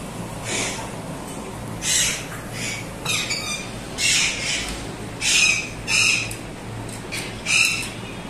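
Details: Moluccan cockatoo (Cacatua moluccensis) gives harsh, broad screeching squawks, each about half a second long, repeated irregularly over a low background hum.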